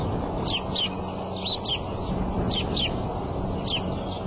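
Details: Bald eagle calling from its nest on the Decorah eagle cam, early afternoon of April 5: clear, high, downward-sliding squeaky notes in short doublets and triplets, separated by brief pauses, over a faint low hum.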